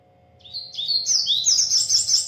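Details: A double-collared seedeater from a breeder sings energetically. Bright, high, rising whistled notes quickly run into a dense twittering string of rapid chirps. A faint constant hum sits underneath.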